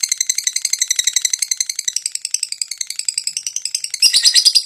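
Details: Fighter lovebird in high breeding condition giving a long ngetik-ngekek chatter used as a lure song: rapid, harsh, even notes about six per second, running unbroken, then a louder, buzzier burst at the end.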